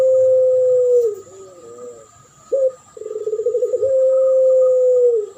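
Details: Spotted dove duet lure song: a long, low, level coo, a short bubbling phrase, a brief clipped note, then a rapid pulsing roll flowing into another drawn-out steady coo, over a faint constant high whine.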